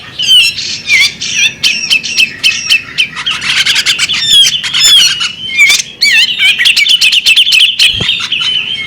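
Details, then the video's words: Female bearded magpie robin producing a long chattering sequence of squawky and whistled notes, some wavering warble-like slurs, dense in the middle and steadying into even chirps, with one dull knock near the end. "the alluring sound of a female bearded magpie robin"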